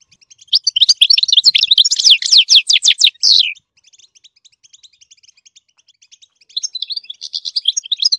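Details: A goldfinch sings to teach the chicks: loud, fast twittering with sweeping slurred notes for about three seconds, then soft ticks, then the twittering song resumes more quietly near the end.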